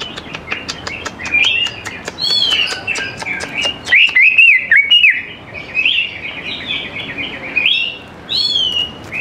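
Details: Greater green leafbird song used as a lure to get young leafbirds singing: a run of sharp repeated ticks opening into rich warbled whistles and chattering phrases, loud and continuous with brief pauses.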